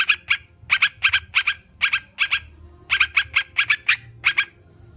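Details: Sooty-headed bulbul, anti-stress sound for kept birds: paired and tripled sharp chirps in short clusters separated by small pauses.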